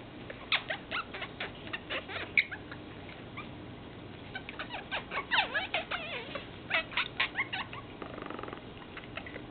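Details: Pet Meyer's parrot showing affection with busy, uneven chatter: sharp clicks and quick chirps, including swooping down-up notes in the middle, coming in irregular bursts.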